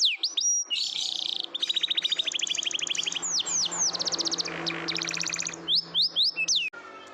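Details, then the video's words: A canary sings a long, high song of rapid rolling trills, fast repeated chips and sharp upslurred whistles, used as a lure to get silent canaries to sing, with a faint low hum underneath. "Canary sounds, Pancingan burung kenari, kenari diam jadi ikut bunyi, canary singing"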